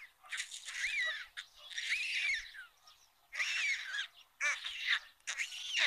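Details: White storks at a chimney nest in a municipal courtyard in Ságvár, Somogy county, Hungary, during the first feeding of the day on 22 May 2022, filmed by a live nest camera; bursts of harsh, arched, squawking calls with quiet pauses between.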